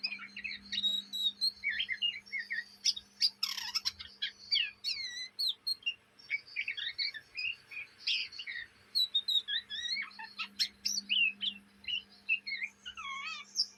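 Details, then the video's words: Young Oriental magpie-robin, caged in Indonesia, chattering day and night. Long continuous warble of chips, buzzy squeaks and looping whistled slurs, with a few harsher bursts and a steady low hum throughout. "kacer bahan ngriwik siang malam"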